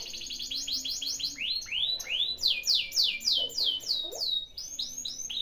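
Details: Canary song used as a lure to stimulate a canary that is lazy to sing: rapid series of bright, downslurred whistled notes, the phrase changing every second or so into rolling repeated syllables, with a faint low hum beneath.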